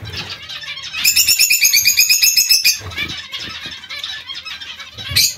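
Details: Zebra finch colony calling together: a dense run of rapid, nasal, harmonic-rich notes repeated almost three times a second, with softer chattering from other birds and low fluttering of wings around it.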